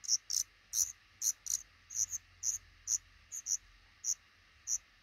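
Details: Black redstart at a nest in a small nook under a roof above a front door, where a pair is raising five chicks; short, very high, sharp notes come in uneven bursts, about a dozen in five seconds.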